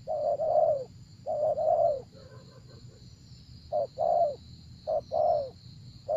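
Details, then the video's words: Cooing spotted dove in a decoy setup for wild doves: paired level coos, a softer murmured stretch, then short-long falling phrases repeating about once a second, with a persistent high whine. "Gác Cu Gáy"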